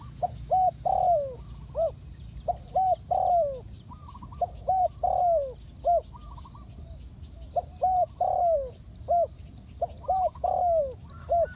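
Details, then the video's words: Spotted dove from Ninh Thuận, Vietnam, in a bird-trapping context, repeating its mellow cooing phrase about every two to three seconds. Short rounded coos are followed by a drawn-out downward-sliding croon, with faint high ticking and low hum behind. "The Sound Of A Spotted Dove is very good,Cu gáy Ninh Thuận"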